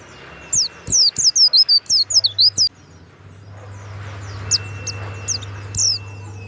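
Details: Warbling white-eye (pleci), a kept songbird, giving a loud bright burst of rapid high downslurred chirps, then quieter scattered high notes over a low steady hum.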